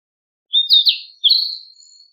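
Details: Narcissus flycatcher song, a short rising whistle leading into a rapid warbled cluster, a brief pause, then a longer clear whistled phrase fading away; no other sounds.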